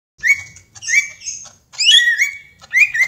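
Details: Young greater green leafbird singing in the ngentrok style: short bright whistled phrases with sliding notes, set apart by brief pauses, over a quiet background.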